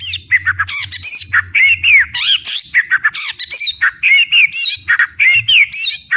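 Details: White-rumped shama (murai batu) in loud, full-volume 'tembakan' song: fast, harsh, squawky chattering notes mixed with slurred whistles in a continuous rapid stream.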